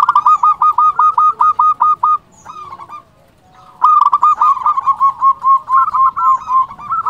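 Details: Loud local zebra dove used as a lure to make other doves answer and to stir up quiet birds. Fast rolling strings of clipped, hollow coo notes, a short break near the middle, then another long rapid run of cooing.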